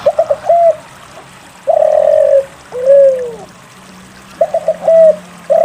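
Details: Lure song of a spotted dove to urge quiet doves to call: a quick triplet, a flat sustained coo, a rounded arching coo, then another stuttered run with a short coo, mellow and low against faint humming.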